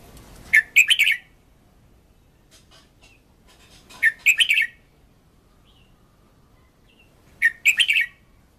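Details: Red-whiskered bulbul kept as a decoy bird, singing in a fired-up state for voice training: three short, bright, chirpy phrases of four or five quick notes, spaced about three seconds apart in a quiet setting.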